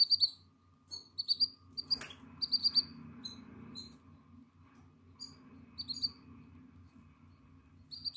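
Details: Atlantic canary chick nine days old in the nest, eyes open, feathers appearing, 14 April 2022: clusters of high, piping cheeps early on, a single rustling knock, then sparser faint peeps over a steady low hum.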